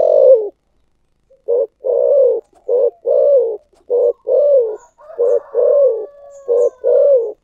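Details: Spotted dove in the Vietnamese 'thổ sấm' voice style, loud clean recording: series of mellow, hollow coos, short and long notes alternating in a rhythmic phrase, with a faint sustained tone partway through.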